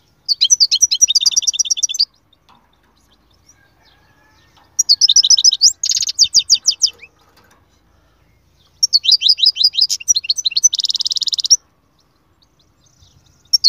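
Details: Canary song in three loud bursts of rapid high trills and buzzy rolls, each about two to three seconds long, separated by silent gaps.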